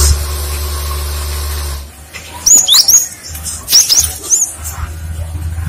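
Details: Cinereous tit song used as a lure to draw other tits, which answer; after a low hum fades, a burst of thin, high whistled notes with quick upslurs and downslurs, then scattered short notes.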